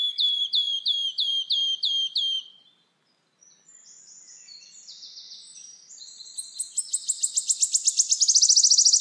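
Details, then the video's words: Repeated clear whistled notes from another bird open the recording, followed by quiet chatter, then wood warbler ticks accelerating into its shivering trill at the end. "Как поёт пеночка трещётка?"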